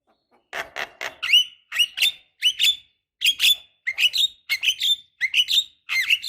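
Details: Female Javan myna calls to the male, used to provoke singing: paired harsh notes, each followed by a short whistled upslur, repeated about every half second.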